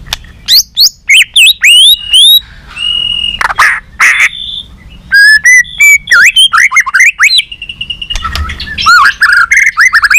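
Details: White-rumped shama singing competitively and continuously with many voices while flicking its tail: sharp upswept whistles, buzzy and steady tones, and rapid runs of repeated notes, with only brief pauses.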